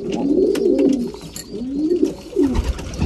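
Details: Short loud coos from breeding pigeons during a meal, two swelling phrases then a thump of movement.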